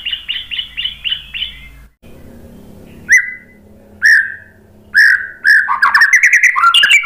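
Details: White-rumped shama singing as a lure: a run of six quick identical high notes, a noisy pause, then single loud descending whistles a second apart, building into a fast, dense warbling series.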